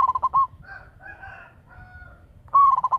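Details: Local zebra dove lure bird with a big voice. One cooing phrase ends, then faint soft tonal calls, then another phrase starts: a rising note and rapid stuttered pulses.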